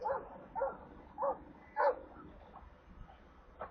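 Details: Stork chicks at their nest in Kaluga Oblast, Russia, on 28 July, receiving water: clear, strongly arched mewing calls, about one every half second, over a quiet background.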